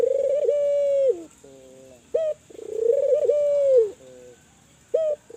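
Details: Kelantan spotted dove calling to stimulate other doves: long steady low coos dropping at the close, each followed by soft lower trailing notes and a short abrupt note, in a repeating phrase about every two to three seconds.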